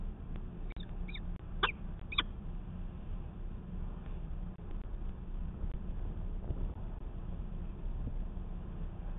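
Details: A peregrine falcon (Falco peregrinus) at Manchester, NH, 19 February 2020, gives four or five short, harsh, chippy calls in quick succession, then falls silent over a steady low rumble of wind or traffic.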